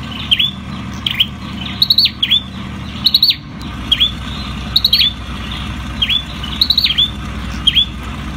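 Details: Ashy tailorbird song, the sâu đầu đỏ: bright high stuttered ticks dropping into dipping whistles, repeated briskly with short gaps, over a continuous low rumble.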